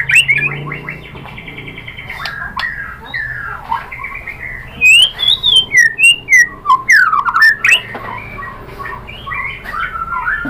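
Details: White-rumped shama song used as a lure to make other birds sing: quieter whistles at first, then a rapid sequence of clear rising and falling whistled notes with sharp clicks.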